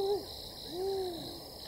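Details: Two spotted eagle-owls call to each other for a while close to a camp in Tembe Elephant Park, KwaZulu-Natal, South Africa, in July 2019: two soft, low hoots, a brief one then a longer swelling one, over a steady high background drone.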